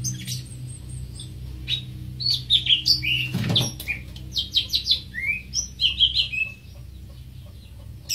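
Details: Greater green leafbird giving scattered high chirps and whistled slurs. A loud low thump interrupts at about three and a half seconds, then a lively sequence of clipped notes and a rising whistle follows.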